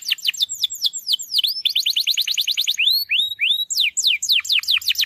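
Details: Canary song played to coax a quiet, reluctant canary into singing: rapid bright trills of repeated falling notes, switching phrases every second or so, with faint low rumbling underneath.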